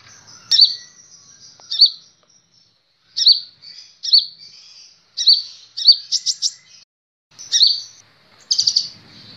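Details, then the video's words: Caged sunbird (kolibri ninja) used as a training recording: very high, thin tweets given in spaced phrases, some notes doubled or buzzy, with a quick trilled run near the end. "Masteran Burung Kolibri Ninja"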